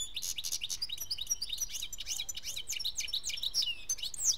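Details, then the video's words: German-bred European goldfinch from 2013, a strong singer, delivering a dense, fast stream of twittering, tinkling high notes with quick rising and falling slurs, almost continuous throughout. "EuRo GoLdFiNc SiNgiNg"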